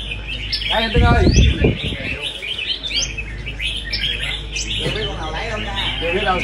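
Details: Red-whiskered bulbuls singing at a songbird competition: quick bright warbled and whistled phrases with rising sweeps, repeated in busy overlapping bursts, with people talking loudly and a low steady hum in the background.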